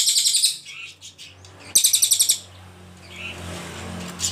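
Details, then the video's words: Ashy Tailorbird song kept as a tutor recording for other songbirds. Two short, bright bursts of fast repeated high notes are followed by quieter chirps and a low background hum. "CILILIN GACOR PALING JERNIH TEMBAKAN PANJANG"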